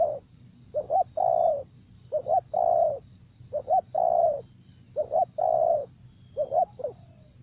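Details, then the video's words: Cooing spotted dove at a decoy-luring session, giving five evenly paced phrases of a clipped two-note lead-in and a long resonant coo, with a faint steady high-pitched hum in the background. "Gác Cu Gáy"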